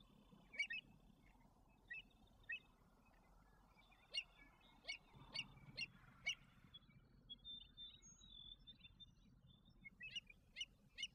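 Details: In Alberta, adult American avocets tending young chicks utter a long series of clipped, piercing notes, spaced irregularly, sometimes in quick pairs, with low rumbling noise in the middle section.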